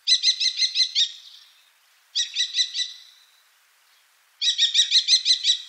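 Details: Common kestrel in Wittlicher Tal, 2018, giving three bursts of rapid, sharp, high kee-kee notes, about six per burst, spaced roughly two seconds apart, each burst trailing off into a soft fading tail; no other sounds.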